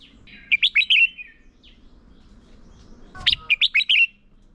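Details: Decoy red-whiskered bulbul singing competitively as a training aid: two matching phrases of five quick, looping whistled notes about three seconds apart, a soft low thump before the second.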